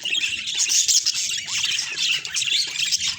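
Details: Budgerigars in a natural recording, giving a continuous dense high chatter of scratchy chirps and warbles with no pauses, over a faint low background murmur.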